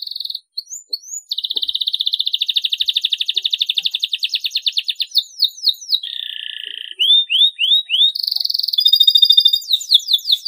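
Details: Canary song meant to make silent canaries start singing: bright whistled notes leading into an extended rapid trill, then falling slurred notes, a lower buzzy phrase and more quick high trills.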